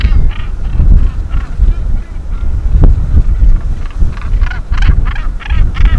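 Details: Northern gannets on the clifftops at Bempton Cliffs in breeding season give harsh, grating, overlapping calls in quick bursts from the busy colony while busy with breeding duties, with heavy wind rumble throughout.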